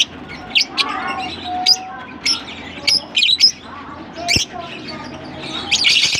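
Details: Lovebirds kept in Larkana give thin, high chirps and short squeaks, scattered singly and in small clusters, ending in a louder scratchy burst of chatter.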